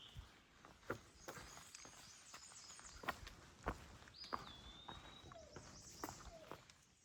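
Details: An Eastern Wood-Pewee, heard often along the Appalachian Trail during a 2024 hike, gives one clear, high whistled phrase that slurs downward, then holds steady, with crunching trail footsteps throughout.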